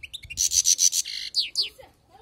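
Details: Wild-caught European goldfinch singing: a brief burst of rapid, high, bright twittering notes with buzzy ringing tones, followed by two quick descending slurred chirps, then quiet.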